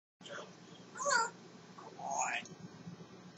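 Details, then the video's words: Pet African grey parrot talking away indoors, giving a few short, rising squawk-like vocal notes separated by quiet pauses, with faint background hum. "African Grey Parrot talking away having a great time"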